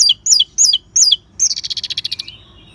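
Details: Orange-headed thrush singing ngeban style to prompt caged birds: four loud descending whistled slurs, then a fast buzzy rattling trill that fades into a soft falling note.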